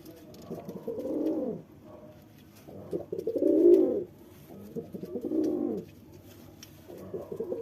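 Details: Deep, repeated coos of a male pigeon courting a female, three to four rounded phrases, the middle one loudest, with quiet gaps between.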